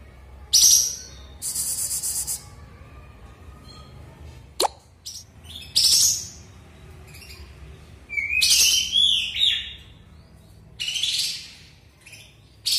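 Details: Sooty-headed bulbul just out of moult and singing freely again after a spell of silence: harsh broadband bursts alternate with short clear whistles, including a rising and falling whistled phrase midway, with brief pauses between outbursts.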